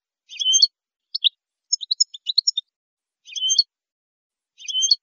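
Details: Saffron finch singing on a recording meant to educate captive birds: brief high slurred phrases separated by silences, with a scattered burst of quick chips in the middle. No other sounds.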